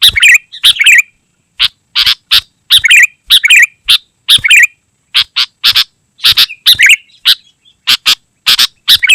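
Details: Sooty-headed bulbul in continuous song, meant to call wild bulbuls and teach caged birds: uneven series of rasping bursts and bubbly slurred phrases, with brief gaps between them.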